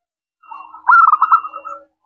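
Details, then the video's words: Single phrase of local zebra dove song, clear 'crystal' voice, used as a lure to get other doves to reply: a soft lead-in, then a loud, fast, rolling coo that trails off. "Perkutut lokal gacor suara kristal, ampuh untuk pancingan langsung nyaut"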